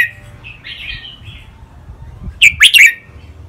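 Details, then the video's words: Caged red-whiskered bulbul, one of two birds in a training-song recording with lak wai and nap dok styles: a soft drawn-out warbling trill first, then a loud rapid three-note bubbly phrase. "นกกรงหัวจุก เสียงร้องเล่นริกเบิ้ล ลากหวาย แม่บท นับดอก"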